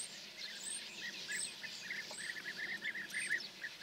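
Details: European bee-eaters passing over Hungary on a May morning, 10 May 2024, in large groups: many soft rolling trilled calls overlapping, with thin high notes from other birds and steady background hiss.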